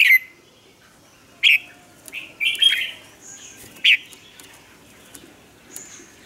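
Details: Captive lure Red-whiskered bulbul from Vietnam, used to train other bulbuls' voices: short loud bright chirps and brief warbles spaced about a second apart, with faint high whistles between them.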